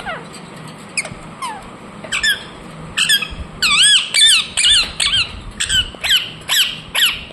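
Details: Indian ringneck parakeet giving quick, shrill chirps in a steady series, several notes with wavering, looping pitch and downward slurs, roughly two per second, over faint background hum.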